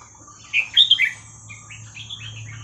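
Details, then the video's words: Song of a Red-whiskered bulbul, หัวครกเขย่าขวด style, played to train young birds: a loud rolling phrase of quick slurred whistles, followed by a softer chain of rising and falling notes over low hum. "เสียงนกกรงหัวจุกเพลงหัวครกเขย่าขวด เปิดสอนลูกนก"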